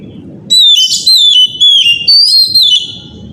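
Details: Loud morning song of an Oriental magpie-robin, used to lure other magpie-robins into singing: after a quiet half second, a run of about six ringing whistled notes, each slurring down and back up, with a soft low murmur beneath.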